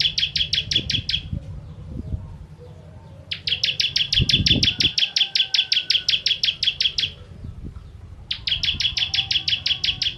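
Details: A bar-winged prinia ('ciblek kristal') delivers 'tembakan' song meant for training contest birds: three rattling volleys of sharp, high, evenly spaced chips, the middle one longest, separated by brief gaps, with low rumbling thumps in between.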